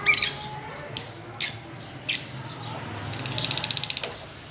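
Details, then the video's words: Fischer's lovebirds playing on a swing, a few loud sharp chirps followed by a rapid even series of short ticking notes. "Parrots playing and chirping"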